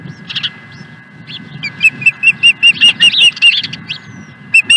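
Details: Osprey at a ranch nest, recorded 16 April 2020: after a quiet start, a rapid run of sharp whistled chirps, about two or three per second, slightly upslurred, with a short final pair. Faint low rumble and a steady hum underneath.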